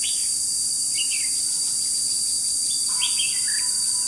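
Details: Red-whiskered bulbul kept as a trapping decoy, 21 July 2016: faint slurred notes, then a clearer run of warbled phrases in the last second, all set against constant high-pitched insect buzzing.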